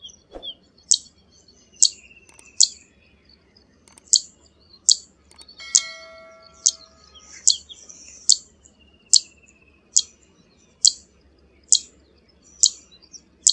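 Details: Zitting cisticola repeating piercing, high zit notes, thirteen or so at intervals of roughly a second, with a brief clear ringing tone near the middle and faint twittering between calls.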